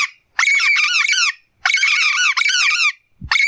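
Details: A yellow-faced parrot calling in the wild gives long runs of harsh, wavering, rasping squawks, each burst lasting about a second with brief pauses between.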